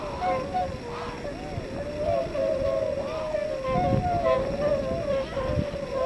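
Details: Tundra swans on northward spring migration at Yonago Waterbird Park, Tottori, Japan, around 8 a.m. with 356 present, call together in soft, mellow bugling and whooping notes overlapping almost continuously over a low rumble; Tundra swan.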